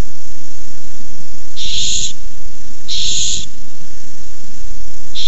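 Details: Barn owls fighting over a small mouse at a nest, recorded 6-4-15 by a camera. Two long, raspy, hissing screeches come about a second apart, then a brief third, over constant low hum.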